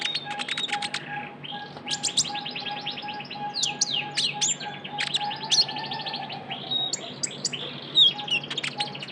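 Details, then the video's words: A young Javan white-eye in full voice for luring, with dense high chirps and downslurred squeaks in rapid bursts, a thin sustained buzz between phrases, and a faint steady lower tone beneath. "PANCINGAN KONIN TROTOL GACOR"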